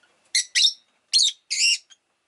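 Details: Rosy-faced lovebird uttering four loud, harsh, high chirps in two pairs, each burst broad and buzzy, followed by a tiny final note.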